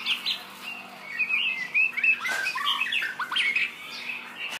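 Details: Shama song made of clear, fluty whistles and quick downslurred and upslurred notes, phrases changing constantly over a few seconds, over a faint continuous low hum.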